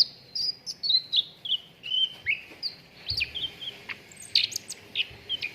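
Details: Steady twittering from a cucak ranting on a recording for training contest birds: a nearly continuous string of bright chirps and short whistled slurs, roughly one per second, unevenly timed.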